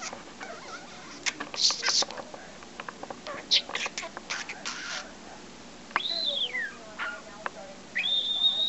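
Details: Young pet parrot, about 5 months old, that knows 20 to 25 words and several taught whistles, chatters in short, breathy, word-like bursts, then gives a rising-and-falling whistle and a final steady high whistle.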